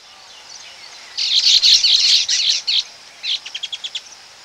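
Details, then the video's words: Baya weaver calls recorded close up at a breeding colony: dense bursts of high, buzzy chattering notes for about a second and a half, a short pause, then a quick run of clipped ticking notes fading out. "Baya Weaver. Calls CU At Colony"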